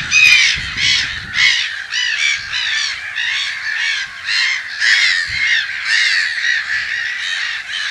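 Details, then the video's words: Black-headed gulls at their nests in spring, mid-March 2012, in Brenne, Berry, France: a dense chorus of harsh, rasping kraah notes, overlapping and repeated almost twice a second, with no break. "MOUETTES Rieuses/Printemps/Nids"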